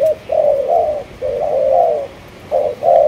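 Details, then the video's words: Spotted dove, Malaysian strain, cooing in a short phrase: a clipped first note, then two longer, smooth, low coos, a pause, and two more closely spaced coos at the end. "Cu Gáy Malaysia Nhiều Dòng"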